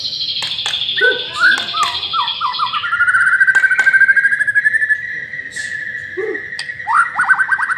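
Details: White-rumped shama, a master-trained bird, giving a lure song with a long rapid trill of repeated slurred notes, preceded by buzzy high notes and sharp clicks, with low chucks between.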